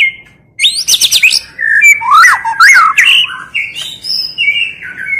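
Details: Female white-rumped shama, tạch líu voice used to arouse males for fighting. Fast chattering bursts lead into looping up-and-down whistles, then clear sustained notes.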